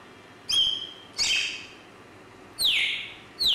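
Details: Grey parrot uttering four high, harmonic-rich chirps, each sharp at the start and dropping in pitch, spaced roughly a second apart in a quiet setting.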